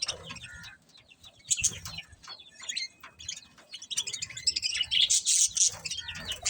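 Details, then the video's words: Budgies chirping in a rising flurry of quick sharp tweets and scratchy warbles, growing louder and denser toward the end, with some low background rumble. "Cute Budgies Chirping Sounds"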